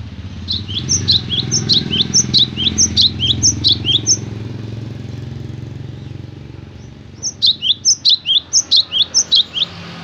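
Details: Gelatik batu, the cinereous tit, sings two bursts of rapid, ringing two-note phrases, high then lower, roughly three per second, separated by a three-second pause with distant engine drone below.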